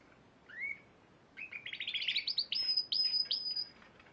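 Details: Spanish Timbrado canary from the Piala Raja contest of March 2014 giving one upslurred chirp, a pause, then a quick chattering burst and three clipped high whistled notes.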